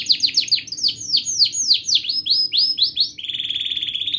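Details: Long-singing gacor canary, used to encourage young canaries to learn song. Loud sweeping downslurred notes follow one another quickly for three seconds before a thin, buzzy steady trill takes over.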